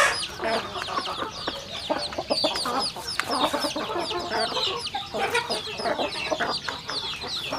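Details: A flock of chickens eating, high falling cheeps crowding one another, mixed with quick pecking clicks and occasional soft clucks.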